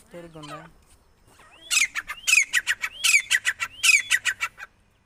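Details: Female grey francolin (teetar) calling, recorded in connection with trapping: after a brief spoken word, a loud series of shrill, harsh notes, each opening with a short rising whistle, repeated in quick bursts for about three seconds.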